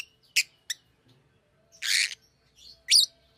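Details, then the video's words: Shrill, scratchy calls from a Fischer's lovebird: two short sharp clicks, then a longer grating squeal and a final high chirp, spaced irregularly over a few seconds. "Fisher LoveBird Makes AMAZING Sounds!"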